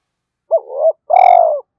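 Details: Decoy spotted dove giving its luring coo, a thúc-style call with a thổ đồng voice aimed at domestic and wild doves: a wavering double hoot followed by one long, loud, slightly falling note.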